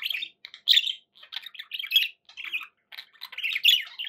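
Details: Pet budgerigars chattering indoors: rapid scratchy warbles and chirps in several loud bursts separated by short gaps.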